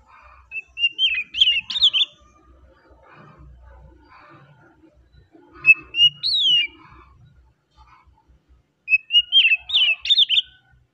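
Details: Oriental magpie-robin singing a relaxed song: three bursts of clear whistled and warbled phrases, each opening with a steady whistle and then breaking into quick rising and falling notes, with quiet pauses between.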